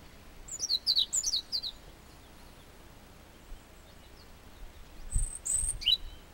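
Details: European robin singing along a trail from Chamorga in Anaga, Tenerife: short high thin phrases of sharp descending notes, a pause, then another brief high twittering phrase, with faint low rumble behind.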